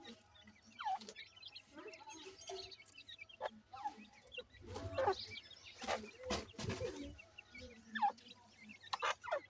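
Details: Grey francolin (teetar) chicks, feeding, give short downward-sweeping peeps every few seconds amid soft clucking notes and loud scratchy, rustling bursts of handling noise.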